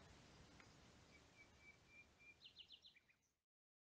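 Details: Singing common nightingale in Rodeno pine forest, Sierra de Albarracín, Teruel: a long series of pure whistled notes swelling in loudness, followed by a brisk burst of rapid, harsh repeated notes before sudden silence.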